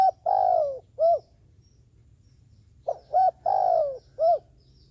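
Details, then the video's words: Dove used as a decoy to draw others for trapping gives two cooing phrases: clipped notes, a long falling coo and a rounded ending coo, with a quiet gap between; soft low hum. "cu mồi gáy chuẩn, gọi là đếnh"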